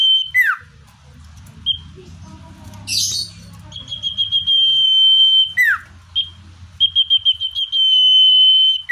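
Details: Common iora natural song for luring wild birds: downward-swooping slurs are followed by quick pulsed notes that flow into long, even, high whistles. The pattern repeats, with a brief harsh chirp between phrases.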